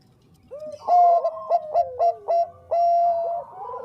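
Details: Vigorous Bangkok zebra dove song as lure audio: a short rising lead-in, then a string of loud, clipped, clear coos ending in a longer steady note, the notes evenly spaced and bell-like.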